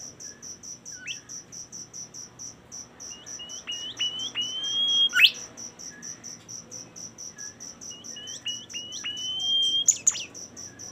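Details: Bimoli song in two phrases: stepped upward notes leading into a sustained high whistle that ends in a loud sharp rising flourish, above a constant rhythmic cricket background.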